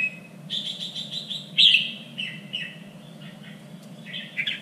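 Red-whiskered bulbul singing bright, liquid phrases: a quick run of repeated chirps, a loud sharp note, then falling warbles and a final burst, over a low hum.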